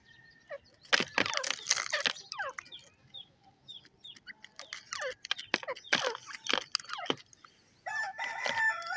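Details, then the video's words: Grey francolin, known locally as teetar, giving loud harsh calls in bursts with sharp downward-sweeping notes, clustered near the start and again around the middle, with quieter chirps from other birds between them. "Teetar Bird awaz teetar sound"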